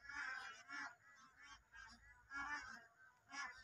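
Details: Large flock of bar-headed geese at the Eastern Range of Kaziranga National Park, India, giving overlapping nasal honks in irregular bursts roughly every half second, with a steady distant murmur of the flock between them.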